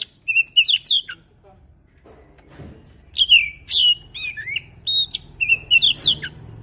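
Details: Oriental magpie-robin, a kept bird, singing: loud whistled phrases with rising and falling slurred notes, sharp chips and buzzy trills in bursts, a quiet pause in the middle, faint low background hum.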